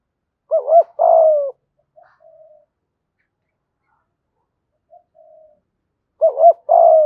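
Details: Spotted dove singing 'thổ'-style 'gù thúc' coos to lure wild doves; a loud phrase of quick double coo plus long falling note, a long pause with faint soft coos, then the phrase again.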